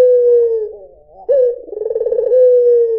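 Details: White Barbary dove cooing: a smooth, low hollow hoot held steadily, a brief wavering break, then a rolling, purring trill that swells before settling into a final level, clear coo.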